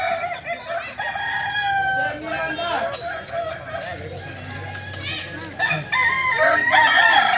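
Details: Kukuak Balenggek roosters from Solok in crowing performance practice: repeated overlapping crows with wavering phrases, a quieter middle stretch with low clucking, then loud crowing again at the end.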